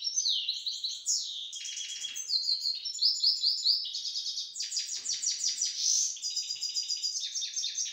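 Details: Pet grey-headed goldfinch in Istaravshan, Tajikistan, singing a continuous fast twittering song of buzzy trills, rapid repeated chirps and bright high whistled notes, with no other clear sounds.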